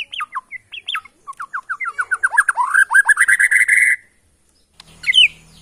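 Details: White-rumped shama from Borneo, originally from the Kalimantan forest: short whistled downslurred notes speed into a rapid rising run of repeated notes, ending in a sustained buzzy trill, then a brief high phrase after a pause.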